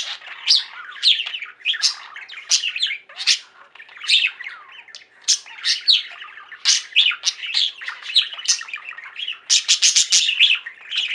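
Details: Domestic budgerigar flock singing and chirping, an unbroken stream of high squeaky notes, rapid ticking chirps and scratchy warbles, growing denser and more clicky toward the end.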